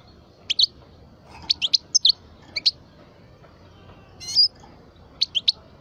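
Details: A twelve-year-old parva goldfinch held as a cage bird gives clipped high chirps in twos and threes, with one longer, slightly buzzy rising note before the final triplet.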